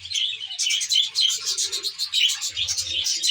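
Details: Budgerigars kept in a reserve-like aviary, sharp bright chirps and squeaks in quick rhythmic bursts over a dense twittering backdrop, a low hum entering near the end.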